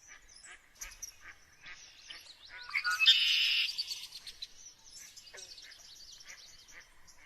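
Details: Several birds chirp and twitter in quick, high, uneven phrases. A loud, rough burst rises in the middle, then the busy chirping carries on to the end.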